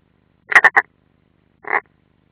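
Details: European roller at a nest at the Ādaži training ground, summer 2016, on a live stream: three quick, grating, crackling notes in a tight cluster, then a single rougher note about a second later.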